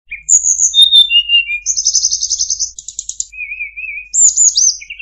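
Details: Sunda robin song for training cage birds, rich in varied phrases: high whistles, falling notes, a fast buzzy trill, a low wavering warble and bright slurred notes, all without pauses.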